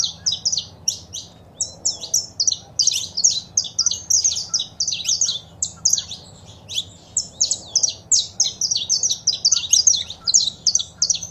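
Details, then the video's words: Male saffron finch singing with female calls, meant to encourage pet birds to sing from about six in the morning. Continuous run of rapid, high, clipped chirps, several per second, fairly steady in volume. "Foguea seu Canário da Terra com Esse Piado de Fêmea e o Macho Cantando"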